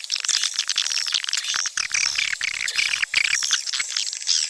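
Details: Many swiftlets give thin, piercing chirps mixed with rattling clicks, packed tightly in a busy flock-like chatter.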